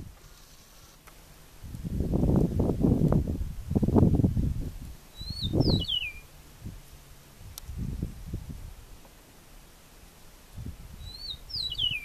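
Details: Eastern meadowlark singing in Venezuela: two clear, slurred whistled phrases, each falling in steps to a lower end note, given about six seconds apart over heavy low rumbling and rustling noise.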